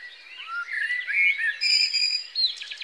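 A common blackbird sings a brief, mellow fluted warble of sliding notes, then breaks into a thin, squeaky twitter at the end.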